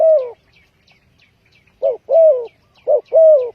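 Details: Spotted dove used as a lure for trapping: loud, low hooting coos, a long coo, a pause, then short and long coos alternating in a quick series, with a clean quiet background.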